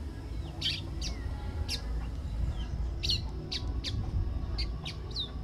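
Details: Pale Baywing (Agelaioides fringillarius), a bird of the caatinga in northeastern Brazil, gives short, bright chirps and slurred whistles, several per second in loose bursts, over a steady low rumble of background noise.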